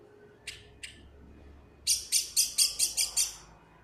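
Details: A lost black bird described as very smart, giving two short scratchy chips followed by a rapid run of seven harsh, broadband chirps, about two per second, over a faint background hum.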